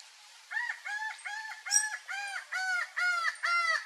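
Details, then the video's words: A laughing falcon (Herpetotheres cachinnans, acauã) gives a run of loud, nasal, arched 'wah' notes about twice per second, each hoarse and slightly bowed in pitch, building steadily in strength. "O ACAUÃ e seu CANTO MALÉVOLO"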